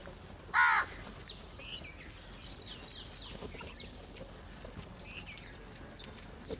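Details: Gathered at food, one crow gives a single harsh caw early on. Small chirps and twittering from other birds continue behind it.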